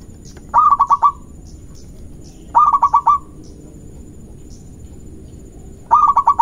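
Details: Local zebra dove in energetic song intended to anger rival doves: three phrases, each of five rapid pulsed coos, repeated roughly every three seconds over a low, constant hum.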